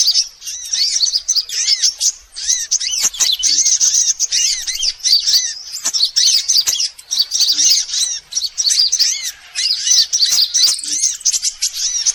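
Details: Bird-luring track of mixed sunbird species: steady, shrill twittering and thin looping chirps in overlapping runs, with a brief lull around two seconds.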